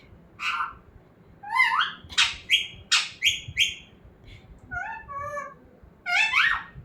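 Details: Pet talking parrot, kept to help teach other parrots to speak, giving a string of short harmonic squawks and speech-like syllables: a rapid cluster of bright notes, then softer rising-and-falling tones and a final sharp burst, against a quiet indoor background.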